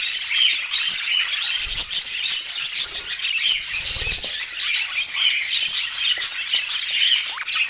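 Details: Budgerigars chattering together: a dense, continuous mass of high, scratchy warbles and short chirps with little pause. Faint soft thumps are heard in the background.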